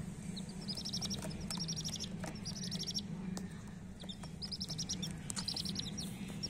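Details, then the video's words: Chirping coloured hen chicks: clusters of fast, high, stacked peeps repeated in bursts about every second, set against a low, steady droning hum. "chirping sounds of murgi chicks"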